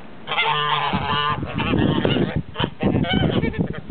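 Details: Several blue and grey Toulouse geese honking: a drawn-out nasal call opens, followed by choppy overlapping honks and short harsh bursts from multiple birds, loud throughout.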